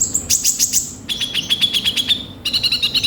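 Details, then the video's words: Three quick phrases of konin sunbird song used to coax a young bird into singing: a very high rattling burst, a longer rapid chirping trill, then a short buzzy run. "Pancingan suara burung konin bahan cepat gacor"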